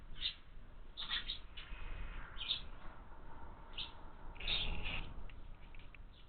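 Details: Short, bright chirps come from house sparrow chicks sitting in a window-mounted feeder, spaced irregularly, with one louder cluster near the end and steady low hum beneath.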